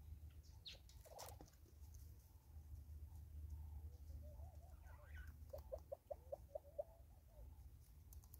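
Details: Southern red-billed hornbill in South Africa giving a quick series of about six short, evenly spaced clucking notes late in the recording. The calls are faint over a steady low rumble, with a few scattered faint chirps earlier.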